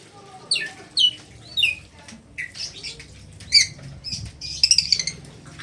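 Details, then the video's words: Red lory uttering short, shrill, downward-sweeping calls in irregular bursts, with quiet gaps and some rustling between them. "NURI MERAH - Red Lory kicau"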